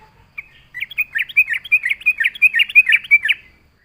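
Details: Yellow-vented Bulbul in full voice, a lure song for attracting other bulbuls. One rapid, bubbly chattering run of about a dozen warbled notes, steady and lively for three seconds, in a quiet background.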